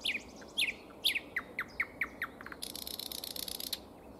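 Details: Nightingale song in spring: loud repeated downslurred chip notes delivered about every quarter second, then a harsh buzzy rattle of fast pulses lasting about a second.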